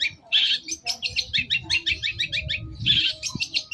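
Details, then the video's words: Long-tailed shrike lure recording used to get a reply: a harsh rasp, then an even run of fast clipped chirps, about four per second, ending in another rasp. "Masteran CENDET Kicau Pancingan cukup 1 Menit Auto Nyaut!!!"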